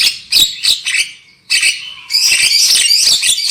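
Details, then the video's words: Black-winged myna lure recording meant to make birds sing loudly: harsh broadband squawks and chatters, then a dense, continuous noisy burst of grating notes in the second half. "SUARA PANCINGAN JALAK KEBO AGAR CEPAT NGOCEH KERAS"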